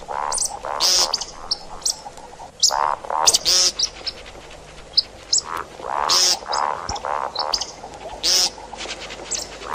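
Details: Calling see-see partridge, sound meant for hunting: quick mellow notes in small clusters interspersed with loud harsh bursts and sharp high clicks throughout.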